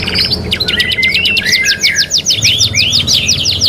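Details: Kenari, the canary, singing on a training track: a fast rattling trill of steeply descending notes repeated about three times a second, over a lower sustained whistle, bright and high-pitched.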